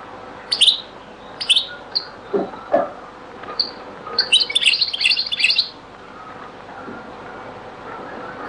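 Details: European goldfinch, Beni Messous 'les avocats' (zaboka) song style, very old recording: a few spaced single chirps, then about a second and a half of rich twittering, followed by quiet.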